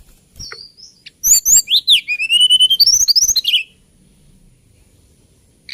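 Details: Hill blue flycatcher from Kalimantan or Java singing one rich phrase of high whistles, quick rising and falling chirps and a long drawn whistle, then falling silent for the last two seconds.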